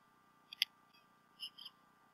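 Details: A bald eagle at the Decorah North nest on 28 February 2016, with both adults present and a fish delivered by the male, picked up by a nest cam; a sharp single chirp, then a short double chirp, over a steady hum.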